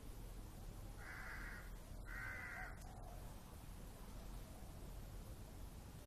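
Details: Crow calling, two harsh drawn-out caws about a second apart over steady low traffic rumble, then quiet background noise.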